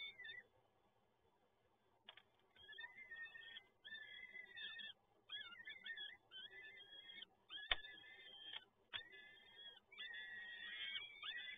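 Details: Peregrine falcon nestlings at feeding time, Toruń, Poland, 30 April 2022, after a quiet opening, burst into a long sequence of harsh, warbling begging wails, with a couple of sharp knocks.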